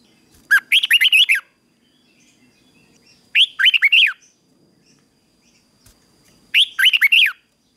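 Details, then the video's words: Red-whiskered bulbul performing a morning fighting song, used to train and provoke newly caught birds into hard singing. Three matching phrases of rapid, liquid whistled notes repeat about every three seconds against a quiet background. "Luyện chào mào hót sáng | chào mào hót đấu"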